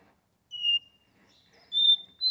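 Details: Caged Capped seedeater in São Paulo, Brazil, giving Porta-voz song: one clear whistle, a pause, then a higher sustained whistle and the start of another.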